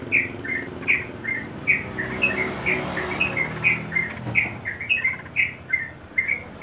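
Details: Sooty-headed bulbul song in ropel style, a master recording for training young birds: short bright whistled notes repeated about twice a second over steady low background hum.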